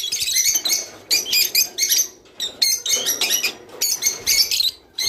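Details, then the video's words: Java sparrow singing to stimulate mating: quick bursts of sharp, high, clicking notes blend into tinkling trills, repeating in short phrases with brief dips in between. "تغريد روز / صوت روز/حفزطيورك علي التزاوج"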